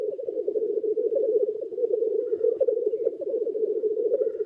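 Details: Many black grouse cocks lekking on the ground near a hide in early spring: a continuous, dense bubbling murmur of overlapping low rolling coos, pulsing steadily without pause.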